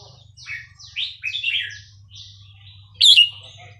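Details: Red-whiskered bulbul, Burmese regional song style 3-4-5-6, played to young birds: soft descending chirps give way to one sharp, loud warbled note near the end, over a constant low hum.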